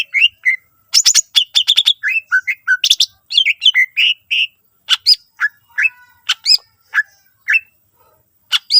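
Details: Active greater green leafbird, singing a phrase-rich song meant to draw other leafbirds into singing: busy clusters of chirps and bright whistles early, thinning to spaced single calls with short silences.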